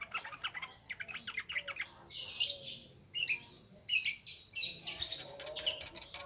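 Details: Yellow-vented bulbul, lure recording for training birds, singing in ngropel ngalas style: rapid chattering chirps followed by loud harsh buzzy bursts and a quick run of sharp notes, irregularly paced.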